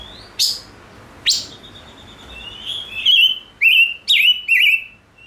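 Gouldian finch song: two sharp ticks, then thin, high, wavering whistles and hissy notes in quick bursts over a faint background hiss.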